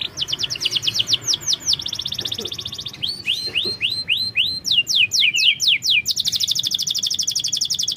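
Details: Canary song used as a lure for a bird that is slow to sing: rapid rattling trills alternate with sweeping downslurred whistles and a quick jumbled phrase, ending in a long dense high trill.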